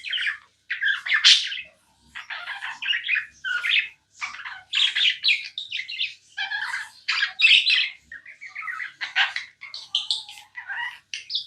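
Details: Long stretch of tame pet budgerigar chatter: harsh, buzzy squawks and scratchy chirps come in quick irregular bursts, barely pausing, throughout more than eleven seconds.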